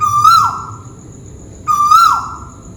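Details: Tuwu bird, a Malaysian scops owl, calling overhead; two clear hooted notes about 1.7 seconds apart, each steady, slightly rising, then sliding down at the end.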